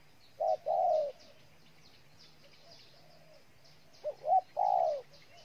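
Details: Spotted dove, Ninh Thuận, Vietnam, giving two coo phrases separated by a long quiet gap; the second opens with quick stuttered notes before a drawn-out coo, light chirps of other birds.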